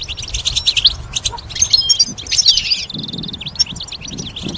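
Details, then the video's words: Goldfinch hybrid training song, a mix of chattering twitters, short pure whistles and a steady buzzy stretch near the end, all high-pitched. "Goldfinch: How to raise it and train it to sing with strong stimulation"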